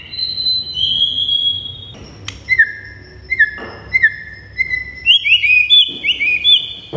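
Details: A white-rumped shama sings in a master recording for training birds to respond: long high whistles, then a series of clear downslurred notes and higher flicking whistles, in a quiet setting.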